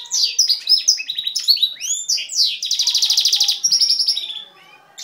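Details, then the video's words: Goldfinch crossed with canary, a male, delivers a strong song of quick swooping whistles and twittering notes, followed by a fast, even rattling trill that fades out near the end. "Incardellato potente"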